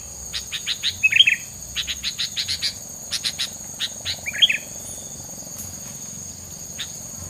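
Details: Isian filler bird song said to stop rival birds approaching; a rapid series of short clicking chirps interspersed with brief twittered flourishes, over a steady high-pitched insect drone.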